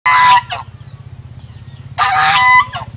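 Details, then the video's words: A goose up close gives two very loud, harsh, nasal honks about two seconds apart, each ending in a brief lower trailing note, over a steady low engine-like hum. "Con Ngỗng Kêu"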